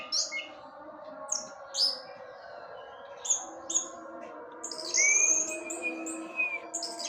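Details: Orange-headed thrush kept as a porch bird, singing to provoke other orange-headed thrushes: scattered high, sharp chirped notes, then a long steady whistle near the end, over a constant low mechanical hum.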